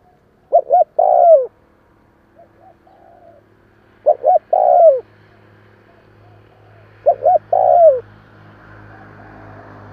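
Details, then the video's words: Spotted dove calling to stimulate newly caught birds, three phrases spaced about three seconds apart, each two short coos then a long downslurred coo, faint softer notes between and low hum later. "Tiếng chim cu kích bổi"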